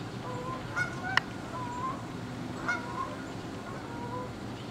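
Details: Canada geese flying in formation at sunrise along the Saint Johns River near Jacksonville, Florida, October 13, 2015, 7:33am; a few scattered honks, a sharp one near the start and another later, over steady low rumble.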